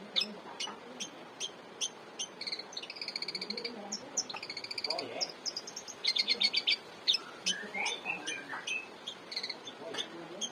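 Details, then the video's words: Long-tailed shrike in lively song used as a training master for cage birds; varied sequence of sharp clicks, buzzy trills and rapid high chirp series over ten seconds. "Pentet gacor cocok buat masteran jagoan kalian"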